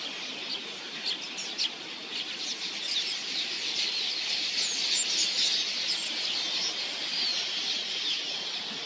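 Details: Millions of migratory red-billed queleas swarming in to drink at a watering hole, a massive flock giving an unbroken, hissing roar of countless high chirps and tweets that swells slightly toward the middle, with wingbeats faintly mixed in.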